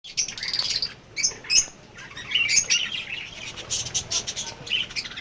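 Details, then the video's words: Lovebird colony with baby birds: many overlapping squeaky, high chirps and short sharp notes from several birds at once, uneven and continuous, over a soft background hiss. "#Lovebird Beegis colony"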